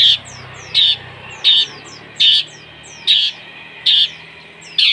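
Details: Long-tailed shrike singing imitations of fighting sparrows and lovebird, used as a lure to provoke other shrikes: loud, harsh chirp bursts repeated about every 0.75 seconds, each followed by short thin descending whistles, over a faint low background hum.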